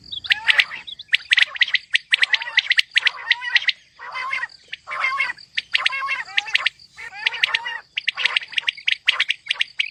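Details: Female batair calling: dense, raspy multi-note bursts, each about half a second long, following one another steadily, some with a lower nasal undertone, over a constant thin high hum.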